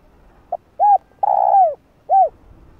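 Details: Spotted dove call used as a lure for wild birds: faint opening tick, a short curved coo, a long burry falling coo and a last arched coo, over soft low background rumble.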